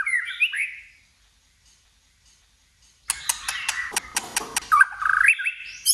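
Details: White-rumped shama stirred into fighting-contest song: a short whistled phrase, a pause, then sharp repeated clicking and knocking bursts, with a rising whistled phrase near the end.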